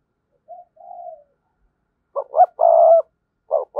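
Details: Spotted dove calling to lure wild doves: a faint soft coo first, then after a pause a loud phrase of two short hoots and a long held coo, followed by further short coos.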